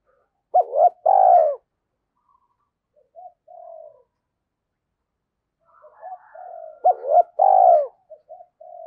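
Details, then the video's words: Cooing spotted dove on a lure recording. Two loud phrases six seconds apart, each short notes then a drawn-out vibrating coo, with quieter low coos murmured between them. "cu gay kich boi nhanh noi gù, tiếng chim cu gáy kích bổi hiệu quả 2023"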